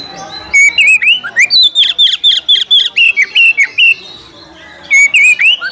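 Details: Oriental magpie-robin calling for a fighting rival: loud, fast, evenly paced whistled notes, each a brief slur, running for about three seconds, a short pause, then another burst of rising whistles.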